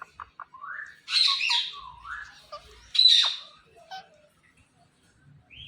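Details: Indian ringneck parakeet giving natural calls: two harsh, loud squawks about two seconds apart, mixed with sliding whistles and short clicks, ending in a brief rising whistle.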